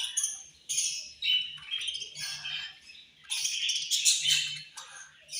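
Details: Budgerigars at feeding time giving angry chirps: clustered harsh, scratchy high chirps and squawks in two loud bursts with a quieter gap between, plus faint low rustling.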